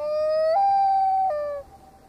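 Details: A common loon on Massabesic Lake, New Hampshire, on an August day gives a pure, mournful, siren-like note that steps up, holds steady, then drops and fades over about a second and a half.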